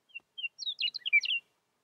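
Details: Meadowlark singing in spring in Yellowstone, with snow still falling as songbirds return: two short clear whistled notes, then a quick, bubbling, warbled phrase of varied slurred notes, ending abruptly, against a quiet background.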